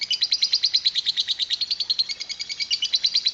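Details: Lovebird 'ngekek panjang', the long 'kereta uap' (steam train) chatter: loud, rhythmic high chirps, roughly nine a second, each sharp and slightly buzzy, running unbroken for the whole stretch.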